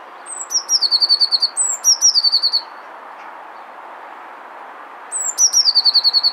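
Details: Male Eurasian blue tit singing to win a female: two high thin introductory notes followed by a fast descending trill, the phrase repeated three times with a pause before the last, over a steady low hiss.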